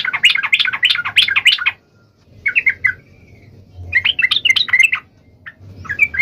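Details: Sooty-headed bulbul sings energetically to provoke a rival: a loud run of chattering notes, a softer phrase with a thin held whistle, then more bubbly bursts over a low background murmur.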